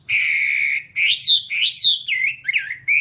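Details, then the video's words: Whambie song from a one-hour nonstop master recording for training birds: a long steady whistle, then a run of clear slurred whistles that rise and fall, with short gaps between phrases. "Masteran Whambie nonstop 1 jam"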